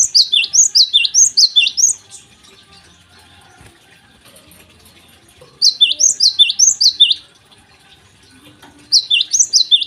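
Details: Java sparrow singing in the morning, used as a lure to prompt untrained birds to sing. Three separate runs of quick, high, ringing chirps, each lasting one to two seconds, with quiet gaps between.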